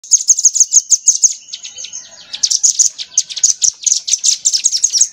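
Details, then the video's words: Crimson sunbird in a tutor recording for training songbirds, rambatan-style material: rapid runs of sharp, high chirps at about three per second, briefly broken by a thinner buzzy stretch before the fast chirping resumes. "MASTERAN SOGOK ONTONG MATERI RAMBATAN"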